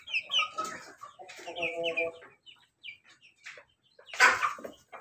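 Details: Loud crowing from a laughing chicken (ayam ketawa): a broken series of short harmonic syllables in clustered bursts, then a sharp, bright burst near the end amid scattered background clucks.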